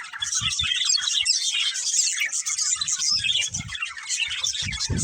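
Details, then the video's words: Budgies in a breeding pair chirping busily: a fast, bright, overlapping warble of high squeaks and trills, accompanied by repeated soft low thuds throughout. "Beautiful Budgies Chirping Sounds"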